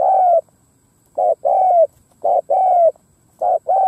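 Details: Decoy spotted dove giving its coo to lure wild doves: three clear paired phrases, a short hollow note then a longer slightly falling coo, about one pair per second, with a quiet background.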